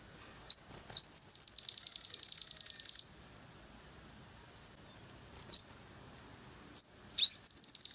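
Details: Provocation track for a crimson sunbird: a couple of sharp, high chips, then a dense shrill trill of about two seconds, silence, more scattered chips, and a new trill beginning.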